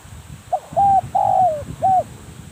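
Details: Spotted dove kept as a decoy, calling a single clear phrase: faint introductory note, short level hoot, prolonged coo dropping in pitch, then a closing short hoot, with low rumble behind.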